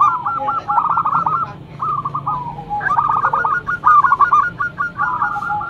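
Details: Lure zebra dove, a local bird with a loud song, delivers a continuous string of rapid gurgling coos, rising and falling in short stuttered runs with a faint low hum beneath.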